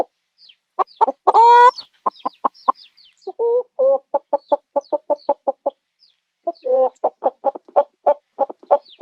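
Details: Chicken cackling and clucking: a loud, harsh harmonic squawk early, then rapid low clucks, two nasal drawn notes, and a long fast series of clucks, with high peeping chirps above.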